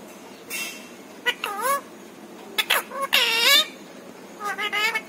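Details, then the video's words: Pet parrot imitating speech such as papa and mummy; a soft hiss, then clipped syllables and a longer drawn-out rasping word, ending with a quick run of wavering sounds. "छोटू मिट्ठू की प्यारी बातें"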